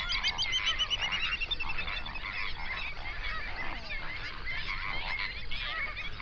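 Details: Flock of hundreds of flamingos on a lake in a national park in South Africa's Overberg region around sunrise, binaural recording: dense overlapping honks and nasal chatter, many birds calling at once in a continuous babble.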